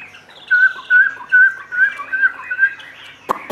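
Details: Captive Chinese hwamei repeating a clear, mellow whistled note roughly twice a second amid softer warbles, ending with a sharp click.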